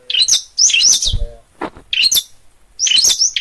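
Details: Energetic long-tailed shrike song recorded in Gunungkidul, Yogyakarta: dense, scratchy high chatter in loud bursts, broken by brief pauses, a low thud and a sharp lower note near the middle.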